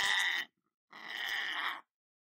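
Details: Pet male lorikeet indoors, two harsh, buzzy screeches, the first short and the second nearly a second long, with silence between them.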